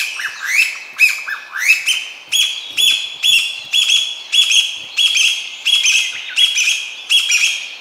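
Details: Chinese bamboo partridge song after an echoing start: loud, shrill, rising notes in a fast repeated series, about one every half second, building into a ringing chant.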